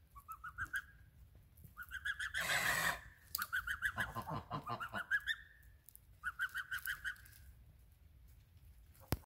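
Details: Group of geese giving runs of rapid nasal honks, about three a second, broken by loud rushing noise bursts and a sharp click at the end.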